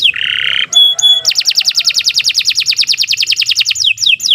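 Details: Canary song for tutoring captive birds: a buzzy rasping note and two clipped pure whistles, followed by a long rapid trill of repeated high notes and a few falling sweeps at the end.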